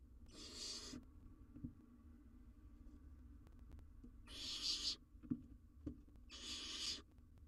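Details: Owlet of the barn owl, wild and on a live cam, tackling a very large jird: three breathy, noisy screeches, one early and two later about two seconds apart, with quiet rustles and taps in between.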